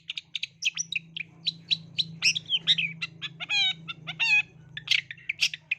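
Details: Lure song of a long-tailed shrike meant to start young shrikes singing: fast varied medley of sharp chips, slurred whistles and a ringing trilled note with stacked overtones, busy and continuous over a steady low hum.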